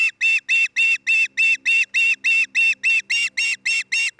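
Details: Osprey at a nest cam in Charlo, Montana, on 27 June 2018 in the early afternoon, where a pair is nesting: a steady run of loud, high, whistled chirps, about three and a half per second, over a faint low hum.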